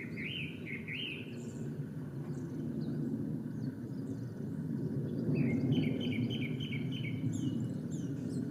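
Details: Male Japanese Thrush singing at Lake Yamanaka's Ōbora spring, Japan, 3 May 2017: a short burst of zigzagging whistled notes, a pause, then a run of five repeated clear notes, over a steady low rumble.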